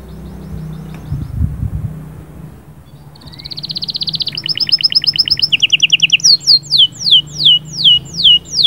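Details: Canary song meant to prepare a female, starting after a quiet low hum: a rapid silvery trill builds into stuttering double notes, then loud downslurred whistles repeat about twice a second.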